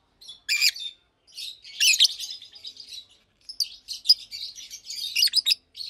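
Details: Blue and pastel green adult Fischer's lovebirds chirp in daytime: a few shrill squeaks, then a longer run of rapid, buzzy, high twittering notes.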